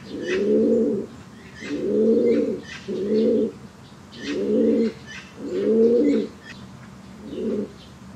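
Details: Low, rounded cooing from a white fancy one-legged pigeon, six bursts in eight seconds at a steady pace, soft chirping of other birds faintly behind.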